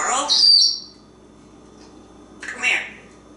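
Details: Talkative male African Grey Parrot perched on a drawer in a kitchen, chattering about animal sounds, popcorn, pizza and dancing: a short speech-like utterance ending in a high thin whistle, a second of quiet, then a brief breathy burst.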